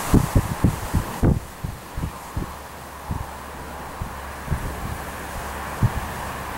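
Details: Repeated low thumps and knocks over a steady windy hiss, most frequent in the first seconds, with no animal voice.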